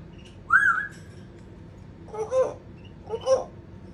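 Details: African grey parrot calling: a clear whistled rising-falling note, then two harsher squawky calls a second apart, over steady low background hum.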